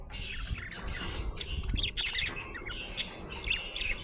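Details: A happy budgie chirps in quick, high, bright notes that cluster into short bursts around the middle and end, over a faint low background hum.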